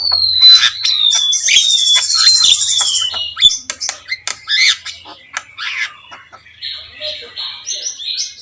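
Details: Javan myna, local name jalak kebo, singing actively: a long falling whistle and a high buzzy trill, then a series of sharp clicks and rasping chatter, ending in short flat whistled notes.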